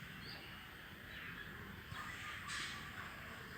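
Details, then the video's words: A flock of crows calls while flying, giving harsh, overlapping caws in quick succession against a steady hiss of wind or background noise. "The crow said something, after which the flock of crows is making a flying noise."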